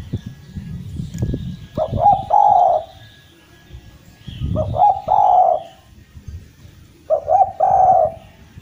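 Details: Derkuku jawa (Eurasian collared dove) cooing lively, a recording meant to get silent doves singing again; three-note coo phrases, two short rising notes then a longer steady coo, repeated about every three seconds, with low rumbling noise before each phrase.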